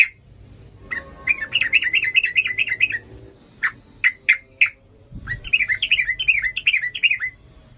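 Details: Agitated yellow-vented bulbul singing in the 'ngalas' style, used for training young birds: wavering warbled phrases of rapid zigzag notes, a string of four sharp clipped notes, then another bubbling warbled run.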